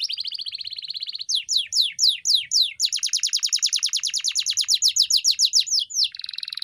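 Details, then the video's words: Canary training song for pet birds: a buzzy even trill, then loud spaced descending sweeps, a rapid rolling trill, and a final sustained buzzy note. "Masteran Burung Kenari _ CANARY SINGING__ الكناري"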